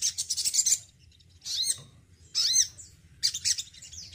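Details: Male Crimson Sunbird kept in care sings four short bursts of very high, twittering, swept notes separated by brief pauses.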